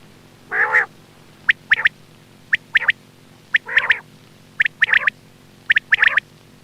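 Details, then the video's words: A quail calls in repeated phrases about once a second, each a harsh nasal note followed by sharp, clipped high notes, over a steady low hum; used as a hunting call. "Quail bird sound for hunting | Btair voice"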